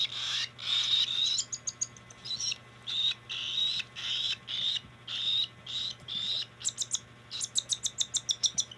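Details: Cockatiel during hand feeding: raspy, buzzy begging calls in short bursts, some drawn out and others clipped, quickening into a rapid stuttering series at the end; steady low hum underneath.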